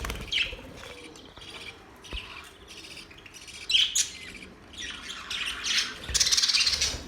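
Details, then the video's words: Soft budgie warbling with occasional louder squeaky chirps, building into a denser, brighter burst of chatter near the end. "Budgies sounds | Budgies singing | Budgies chirping sounds"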